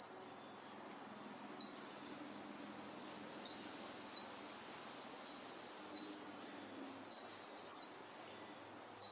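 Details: Young herring gull siblings, newly flying, in a garden; thin, high, squealing whistled notes with a downward slur, repeated roughly every two seconds, five in a row, over a faint low hum.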